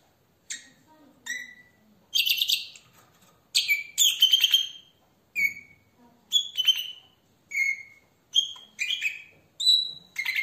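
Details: Red-rumped parrot song, played to stimulate male and female to mate. Short, sharp whistled notes and brief chirpy bursts, with pauses of about a second between phrases.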